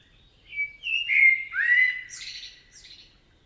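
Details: A common blackbird in a forest in Spain sings one mellow, fluted phrase of low whistles sliding down, ending in a thin, high squeaky twitter; otherwise quiet.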